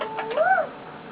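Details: Male eclectus parrot kept as a pet, lying on its owner and content, gives a single short whistled note that rises and falls in an arch, with faint clicks just before.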